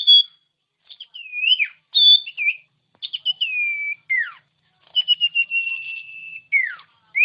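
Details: Common iora song played to coax sluggish caged birds into singing. Mixed whistled phrases: short chips, downslurred notes, a long level whistle held over a second, and sharp falling and rising slurs.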